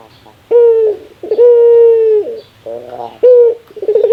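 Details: Laughing call of a Barbary dove, called its rarest sound: short coo, a long sustained even note easing down at the end, then a throaty stuttering chuckle, and the pattern begins again.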